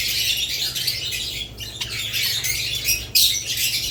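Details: Budgerigars and lovebirds together: high, rasping chirps and twitters pour out nonstop, briefly dipping, then a sharp louder squawk near the end.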